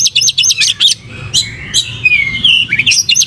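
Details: Oriental magpie-robin, called kacer, in gacor song with open tail as pancing: rapid high chirps, a pause, then long gliding whistles and a final burst of chirps.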